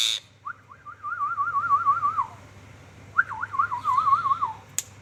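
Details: Ringneck parrot whistling two warbled phrases, each a short rising note followed by a rapid wavering trill that slowly falls, separated by a brief pause, indoors with low background hum.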